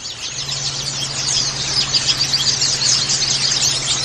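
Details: A colony of white-eyes twitters in a dense, continuous stream of thin, high, overlapping chirps and trills over a steady low hum; this is therapy audio meant to get caged white-eyes singing.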